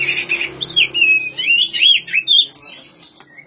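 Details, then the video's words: Oriental magpie-robin song, used to prompt silent magpie-robins to sing: a loud run of varied whistled phrases with slurred rising and falling notes, ending in short, sharp high notes. "suara asli kacer untuk memancing kacer macet bunyi"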